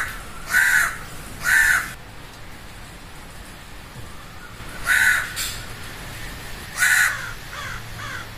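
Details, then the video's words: Loud crow cawing: two harsh caws about a second apart, a pause of several seconds, then two more spaced caws, each rough and clipped, over a low steady hiss. "Crow Cawing Loud"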